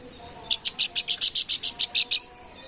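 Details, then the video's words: Babbler, called planduk bukit, in lively song: a rapid series of about twelve short, bright, buzzy chirping notes at an even pace, lasting under two seconds, with a faint low hum behind. "kicau planduk bukit gacor"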